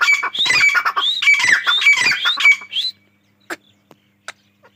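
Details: Grey francolin uttering a three-second burst of loud, rasping, rising notes in quick succession, followed by quiet with a few faint clicks.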